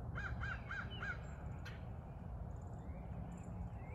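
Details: Crow, one of three that have visited every morning for several years and ask for breakfast: four harsh, evenly spaced caws in the first second, then faint chirps of other birds over a steady low rumble.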